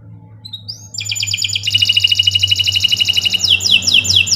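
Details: Canary singing a long, continuous song meant as a master recording for training other birds: a few high rising notes, then a dense rapid trill held for about two seconds, then a run of quick repeated falling whistles; low hum beneath.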